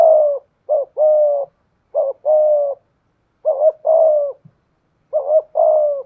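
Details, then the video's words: Spotted dove decoy with a 'thổ pha thúc' voice, challenging a wild dove with 'gù' coos. Four clean phrases, each a quick two-pulse note leading into a longer, even, rough-edged coo, spaced about every 1.5 seconds. "cu gáy giọng thổ pha thúc GÙ đấu với bổi, tiếng gáy bổi nghe rất ghét và gáy theo hiệu quả"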